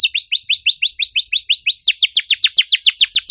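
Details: Canary song used as a lure for silent canaries, delivered in a tight, rapid style with cuit-cuit notes: a series of high down-slurred whistles, then faster, sharper sweeping notes, each repeated about four times a second.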